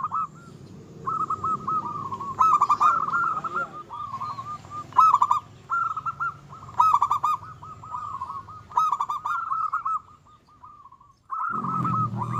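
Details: Local zebra dove in eager song, said to provoke and arouse rival birds: repeated phrases of rapid bubbling coos with louder rattling bursts, a short silence, then low rumbling noise at the end.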